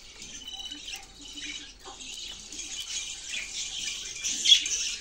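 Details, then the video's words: Budgerigars singing: a continuous high, scratchy warbling chatter with short chirps and buzzy notes, building slightly louder toward the end, with a brief sharp squeak near the close. "Sound of Budgies Birds | Beautiful Parrot Singing voice"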